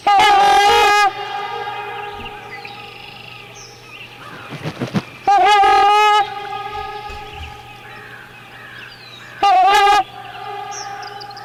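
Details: Trumpeter swan in North America giving three loud, brassy, trumpet- or French-horn-like honks, calls that carry over long distances, each about a second long and a few seconds apart, with a faint low hum in between.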